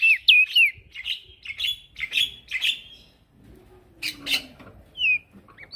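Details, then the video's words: Male prinia, locally called prenjak daun, singing energetically for use as a tutor recording; a few clear whistled slurs lead into harsher, buzzy chattering notes repeated in quick succession, with a soft low sound in the background. "Prenjak daun Jantan gacor"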